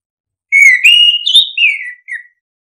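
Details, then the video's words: Continuous ngeplong song of an orange-headed thrush, played to stir lazy birds: one long whistled phrase climbing stepwise, peaking, then gliding down, closed by a brief lower note. "Pancingan anis kembang biar ngeplong, solusi burung malas bunyi"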